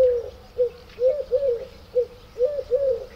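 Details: Eurasian collared dove song from a garden birds recording: hollow, breathy coos near one pitch in a repeated three-note rhythm, short note then two longer ones, with a faint background hiss.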